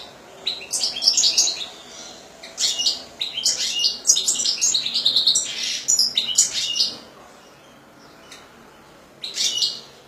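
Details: Pet European goldfinch singing: bursts of high, bright twittering and chirps in irregular phrases, with short pauses and one final burst after a gap.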